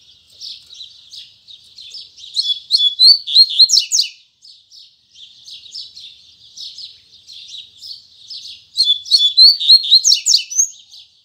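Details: Double-collared seedeater singing a morning song in the tui tui zel zel style: rapid buzzy chirps build twice into loud phrases of sharp whistled and trilled notes, separated by quieter twittering.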